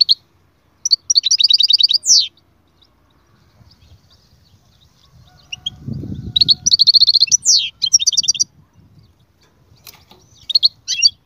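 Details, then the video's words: Goldfinch song in separated bursts of fast tinkling notes and short buzzy trills, with a low rumbling background noise in the middle and gaps of near silence. "أقوى تغريد مقنين"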